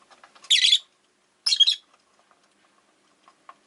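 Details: Caged Rosy-faced lovebirds, one of five pets kept by a window, give two loud grating, shrill chirp bursts about a second apart, followed by soft scattered clicks and a brief squeak.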